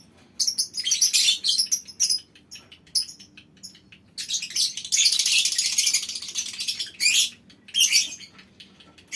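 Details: Colony of lovebirds in a mini aviary calling together, other birds joining in long ngekek chatter: harsh, rattling, high-pitched bursts, a long dense stretch in the middle, shorter bursts between quiet gaps.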